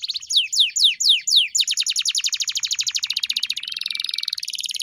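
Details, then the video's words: Canary masteran song used to train a pet canary: several slow descending slurs, then a long rapid trill of falling notes that turns into a dense buzzy roll. "Masteran Burung Kenari _ CANARY SINGING"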